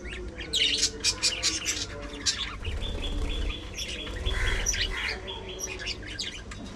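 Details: Budgerigars at afternoon feeding time, a group chattering together: dense bursts of high scratchy chirps and short warbled notes, some steady whistled tones, over a constant low hum.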